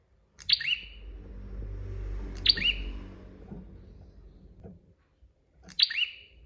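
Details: Bar-winged prinia in a training recording: three sharp, high notes, each dropping quickly to a lower tone, spaced about two to three seconds apart, over low background rumble and faint knocks.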